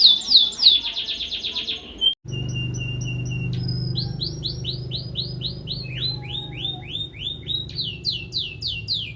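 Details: Vigorously singing domestic canary from Indonesia, used as a lure to restart canaries that have stopped singing: rapid descending high notes, an abrupt break, then long runs of repeated sliding whistles over a steady low hum.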